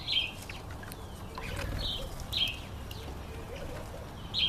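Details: Male red-collared widowbird giving short, high, buzzy chips at irregular intervals of one to two seconds, over a low rumble of wind.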